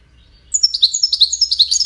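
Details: Goldfinch song of the widani type, meant for teaching chicks, beginning after half a second with quick, high, jingling notes in an even rapid rhythm.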